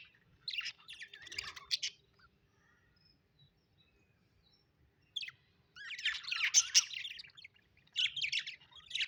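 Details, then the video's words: Happy pet budgerigars chirping in raspy warbled runs, a first bout of chatter, a quiet gap, then longer louder bursts of buzzy twittering to the end. "Budgies birds -happy budgies chirping sound"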